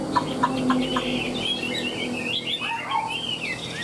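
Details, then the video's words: Chinese hwamei, tail fanned and wings flicking, singing well: a few short clicking notes open, then fluid whistled phrases with bouncing, looping slurs and some lower swooping notes toward the end. "Đuôi xòe chơi cánh hót tốt giọng hay"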